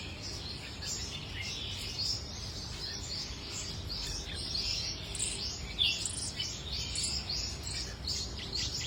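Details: Dusky warbler singing: a dense, continuous run of high, twittering and chattering notes with scattered brighter chirps, over a steady low background hiss.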